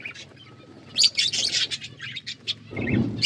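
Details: Budgies feeding and playing with food give fast, scratchy chirps and bright warbled notes, followed at the end by a low rustling clatter.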